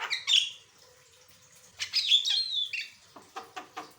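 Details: Javan myna in full varied song, used for tutoring and prompting other birds to sing: a loud whistle and squawk, a second of quiet, then a long rising-and-falling raspy phrase and a series of short clicking chips.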